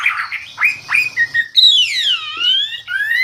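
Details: Hwamei, also called wambi, giving loud clear song: a few short slurred notes, then long drawn whistles sliding down and up again.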